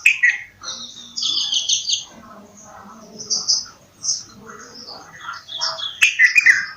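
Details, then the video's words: Bulbul singing among other birds: warbled, slurred notes with high chirping throughout and a louder, sharply falling phrase near the end. "Bulbul Sound | bulbul voice"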